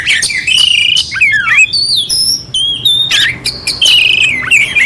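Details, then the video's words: Oriental magpie-robin singing clearly with rough filler phrases, used as a master song to rouse a quiet bird: loud whistled notes and slurred rising and falling phrases mixed with harsh buzzy bursts and high thin trills, uninterrupted over five seconds. "Suara Kacer Jernih isian kasar Cocok untuk masteran untuk menaikkan emosi kacer dingin"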